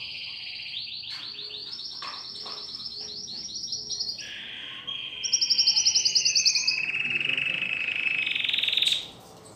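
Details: New caged domestic canary at home: bright rolling trills of quickly repeated notes, then a lower buzzy tour and a loud, rapid high trill before falling silent.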